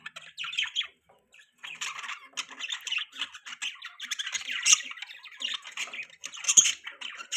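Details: Budgies warble in a scratchy, chattering stream of squeaks and buzzy chirps, starting in short bursts and then running almost continuously, loudest toward the end.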